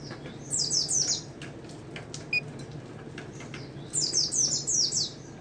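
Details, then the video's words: Singing white-eye, 'ngalas nembak' style, giving two fast rattling bursts of piercing high descending notes at the start and end, with a brief quiet gap holding soft ticks and a low humming background. "pleci ngalas nembak SNI"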